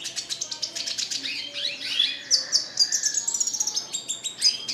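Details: Red siskin in full song: a fast stream of high, twittering and buzzy notes with sweeping slurs, lively and nearly unbroken.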